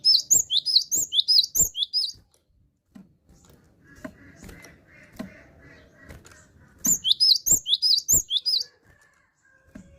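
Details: High, thin whistled phrases from a cinereous tit (gelatik batu) singing steadily. A fast run of rising-falling notes opens and another follows after a quiet spell of faint rustling and a low hum. Dry clicks sound throughout.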